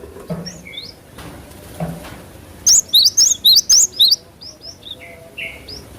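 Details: Cinereous tit lure song for cage-bird training: one run of six quick high whistled phrases, each rising then falling, with softer calls of other birds and low background noise around it.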